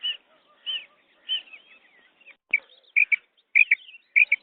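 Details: Female quail sounds used for hunting. Three drawn-out slurred notes, then twittering, a sharp click, and clipped doubled chirps toward the end.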